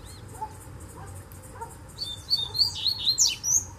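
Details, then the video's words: Double-collared seedeater singing from bamboo at a distance, soft low chips giving way to an energetic phrase of fast, high, twisting whistles and trills. "Coleiro Mateiro Cantando no Bambuzal de Longe!!!"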